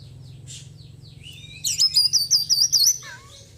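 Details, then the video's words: Oriental magpie-robin, a white-breasted kacer after moulting, in daily care, singing a full fill of small-bird phrases: faint high chirps, then a loud rapid run of looping, high whistled notes lasting about a second and a half over a low steady hum. "KACER GACOR ISIAN BURUNG KECIL PEDES"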